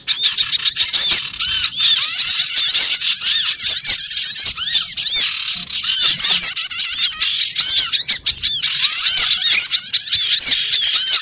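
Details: Continuous flock chatter of small birds, played as a trapping lure: countless high, sharp chirps and arched squeaks layered densely throughout, rising and falling slightly in intensity.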